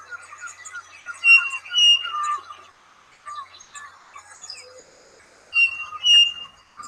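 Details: Striped Cuckoo, locally called tres pies, whose singing near houses is locally said to foretell a death. Pairs of clear, level whistled notes sound twice, about four seconds apart, over a busy background of chirping and twittering from other birds.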